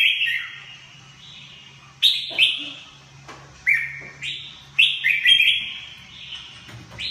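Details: Red-whiskered bulbul gives loud, clear whistled phrases, each starting sharply then gliding down, repeated about every second or so, with a steady low hum in the background.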